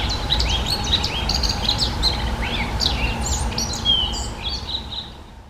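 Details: Eurasian blackcap singing a quick, varied warble of high chirps, slurred whistles and a drawn-out descending whistled note near the end, over steady low background hum.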